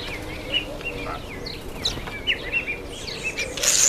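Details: Common myna at a feeding table: scattered whistled and chirping notes, some sliding down then rising, with short sharp chirps, over steady low background hum.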